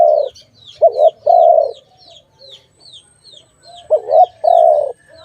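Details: A dove from a trapping recording coos in low, hollow notes, a short stuttered pair then a sustained coo, twice, over a background of repeated high chirps from other small birds.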